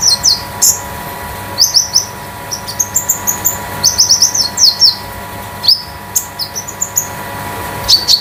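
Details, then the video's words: Olive-backed sunbird known locally as konin, 'damer metalik' type kept as a song tutor; clusters of very high, quick metallic chirps and short trills, repeated in bursts with brief pauses. "KONIN DAMER METALIK LEPAS TROTOL || BURUNG MASTERAN || PANCINGAN OMBYOKAN KONIN"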